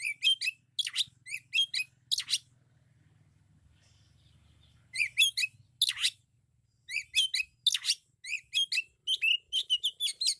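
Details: Loud Oriental magpie-robin song rich in isian phrases: clusters of crisp high chirps and sharp downward strokes in quick bursts, broken by a quiet pause of several seconds.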